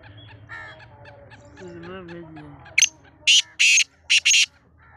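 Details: Black francolin from Sindh, Pakistan, giving a burst of loud, harsh, grating notes in quick succession near the end, after fainter background chirps and low murmuring voices.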